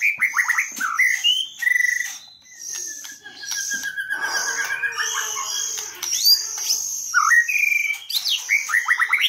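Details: White-rumped shama song used as a trapping lure, recorded in 2022: a rich, varied stream of whistled phrases, rapid descending trills and high sharp notes, with one long smooth falling whistle.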